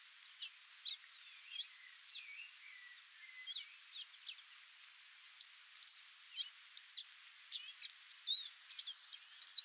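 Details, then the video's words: Chestnut seedeater singing in the wild, free in nature: a series of sharp high chips and slurred whistles, spaced at first, then a faster, denser run of notes toward the end, with a few lower sliding whistles early on. "CANTO do CABOCLINHO-DE-CHAPÉU-CINZENTO livre na natureza (SPOROPHILA CINNAMOMEA) CHESTNUT SEEDEATER."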